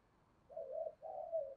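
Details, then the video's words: Spotted dove decoy bird, kept to stimulate other doves to coo, giving two low, soft, smooth coo phrases of about half a second each, separated by a brief pause, against a quiet indoor background. "Chim Cu Mồi, cu gay kich boi nhanh noi gù, mở lên cái bổi gáy gù cả ngày"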